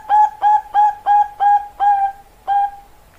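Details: Perkutut Bangkok zebra dove cooing: seven clear, steady, mellow whistled notes of even pitch, repeated about every third of a second, with a slightly longer gap before the last.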